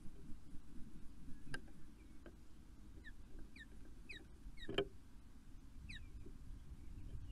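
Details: Two wild ospreys meeting up and mating in the early morning of 5 June at Poole Harbour; short, downward-slurred whistled chirps come in a loose series between low rumbling background noise and a few sharp knocks.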